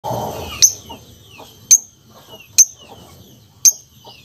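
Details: Lovebird giving sharp, very high piercing chirps, four of them about one second apart, each a brief clipped squeak trailing off, after a short low noisy rustle at the start.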